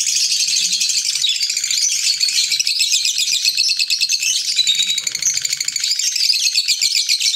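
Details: Continuous high-pitched chatter of green Fischer's lovebirds, African lovebirds, a dense stream of rapid, rattly squeaks and twitters holding at the same loudness throughout.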